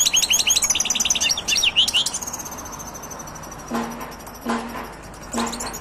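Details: European goldfinch, from silvestrismo, delivers about two seconds of rapid high twittering and slurred chirps, then falls quiet while a thin high tone lingers and three short low, voice-like sounds follow.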